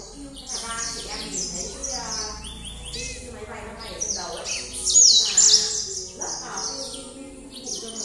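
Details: A yellow canary sings at night with rapid high rattling trills and rolls, phrases changing every second or so and one sharp downslurred note; soft talking in the background.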